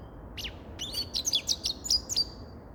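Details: Grey-crowned goldfinch song: one sliding high note, then a rapid run of bright, liquid twittering phrases in close succession.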